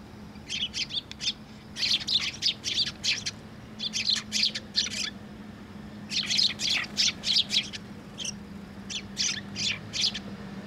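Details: Several sparrows flying in to a post to be fed at a Tenmangu shrine, 27 August 2023; dense runs of sharp high chirps in clustered bursts, about three per second, with a low steady hum beneath.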